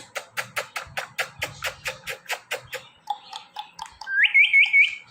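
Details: Pet ringneck parrot makes a fast run of sharp clicks, about two or three a second, then a few quick upward-slurred whistled notes close together.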